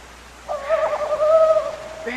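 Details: A female Tawny Owl gives a drawn-out, slightly wavering nasal squeal under two seconds, high and steady, against quiet background. At night females give this squeal to answer the male's territorial hooting and come to him, as he offers a caught mouse.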